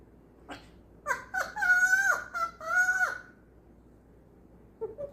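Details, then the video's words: Male pet African grey parrot laughing non-stop in a learned, human-like laugh he sometimes keeps up for two hours: clipped opening notes, then two long, bright, harmonic laughs that bend downward, with a quiet indoor background. "African grey laughing non-stop"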